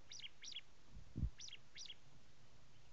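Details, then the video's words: Prinia, known locally as ciblek or jabang karang, singing high paired chirps that drop in pitch, four phrases in three seconds, with a low thump in the background. "Ciblek(jabang karang)"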